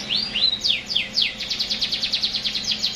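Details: Canary song beginning with a few drawn-out, rising and falling whistled notes, then breaking into a long, evenly pulsed trill of rapid repeated notes.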